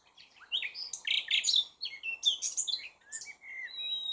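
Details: Common nightingale in full song, delivering a rapid, varied stream of clicking, chirping and whistled notes, ending on a long, clear, steady whistle.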